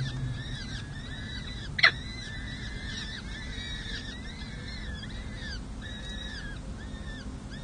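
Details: Peregrine falcon chicks, four of them, six and seven days old, being fed at a nest on San Jose City Hall, 7 May 2024. Continuous overlapping high, arched squeals with rich harmonics, one loud click near the two-second mark, and low hum.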